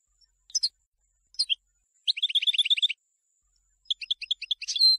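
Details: European goldfinch song for tutoring chicks: a few isolated high call notes, then a rapid series of about ten repeated ringing notes, then a twittering phrase ending on a drawn-out, buzzy high note.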